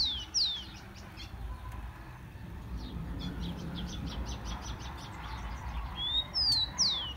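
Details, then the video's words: Brazilian tico-tico, or rufous-collared sparrow, singing to warm up caged birds. A brief slurred note opens the clip, soft chirps follow, then a phrase ends it: a thin whistle and two falling, sweeping notes. "CANTO DO TICO TICO"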